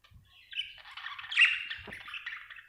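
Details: Budgie chatter: a steady, scratchy warble with buzzy squawks, peaking in a louder shrill squeak midway, in otherwise quiet surroundings.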